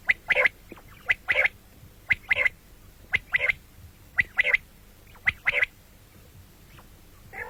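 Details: Common quail (batair) calling morning and night: a steady run of crisp three-note phrases, high and sharp, repeated regularly about once a second.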